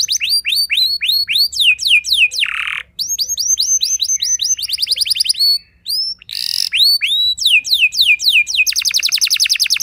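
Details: Provocative canary song meant to make other canaries reply and sing long: runs of descending whistles and rapid trills broken by two short harsh buzzy bursts and brief pauses, ending in a dense fast trill.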